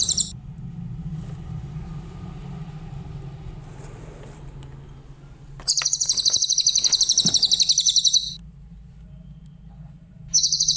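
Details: Tutor recording of a clear-voiced Grey-headed canary-flycatcher: a long, high, rapidly pulsed trill of roughly two and a half seconds, with shorter fragments at the start and end, plus faint clicks and low hum.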